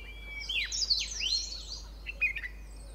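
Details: White-cheeked Bulbul pair sitting on a shrub at Pari Tibba, Motidhar; bright whistled notes and quick twitters tumble together, ending with a few short sharp chirps.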